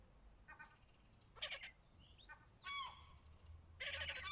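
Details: Gull chicks in Pärnu on 20 May 2024 give scattered harsh, piping calls, some with a rising then falling arc, coming in short bursts over steady low background rumble.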